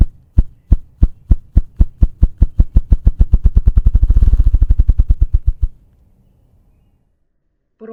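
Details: A male Ruffed Grouse drums in spring woodland to attract a mate and claim territory, beating his wings: deep, muffled thumps start slow and speed into a whirring roll, like an engine stalling, then stop.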